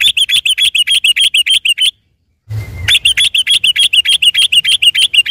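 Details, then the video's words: Sooty-headed bulbul in nonstop rapid song on a Sunday morning, used as a lure to stimulate or trap the same species: fast, evenly repeated bright chirping notes about three per second, broken by one short pause with a soft thump. "suara trucuk gacor ropel di minggu pagi ini paling di cari kicau mania buat pancingan trucuk bahan"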